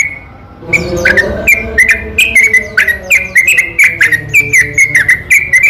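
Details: Night singing of a yellow-vented bulbul, a long rapid run used as a lure for reluctant bulbuls: one clear note, a short hush, then a fast cascade of warbled chirps.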